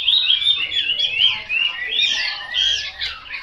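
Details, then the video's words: Continuous song of a Chinese hwamei: bright, rolling whistled phrases that swoop up and down in quick succession, loud and unbroken. "Họa mi tuyển chọn"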